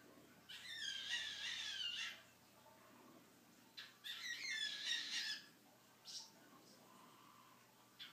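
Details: A male grey cockatiel gives two bursts of high, warbling, speech-like chatter, imitating the words "pretty bird."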